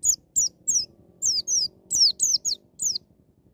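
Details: White-eye singing "ngalas nembak" wild style, meant to push young birds into singing: a rapid, nearly continuous series of about ten high descending whistled notes over a low background hum.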